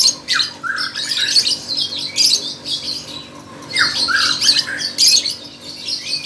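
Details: Lovebird singing for a bird contest: repeated bursts of shrill scratchy chatter with short descending squeaks, roughly every second or two.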